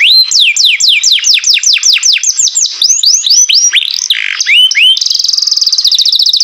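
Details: Loud melodious song from a green canary in care: repeated falling whistled sweeps, a section of rising and twisting slurs, then a fast, very even high trill to the end, with a clean quiet background.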